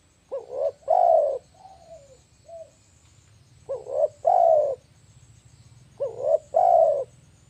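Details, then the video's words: Spotted dove call used to lure birds for trapping: a two-part cooing phrase, a short note then a longer drawn-out coo, repeated three times about every three seconds, with a few softer trailing coos after the first phrase. "SUARA AMPUH TEKUKUR PIKAT"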